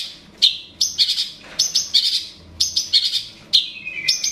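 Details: Calls of a long-tailed shrike used to provoke a rival: clusters of two to four harsh, high chirps, separated by short pauses, ending with a thin descending whistle.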